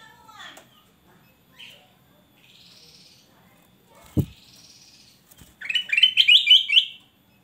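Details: Black-crested bulbul male in vigorous song: faint whistles and a single loud thump, then a lively phrase of five or six clear, bouncing whistled notes near the end.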